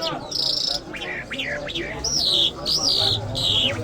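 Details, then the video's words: Iranian lark, named as Mashhadi, delivering a buzzy held note, several rising slurred whistles and long descending whistled phrases, with a low hum underneath. "Jal Birds Iranians Lark Sounds | صدای طرقه، مشهدي مست"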